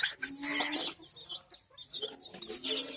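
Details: Baby chicks with a mother hen; a dense chorus of high, overlapping peeps with a lower clucking note near the start, then a brief quieter gap before the chirping resumes.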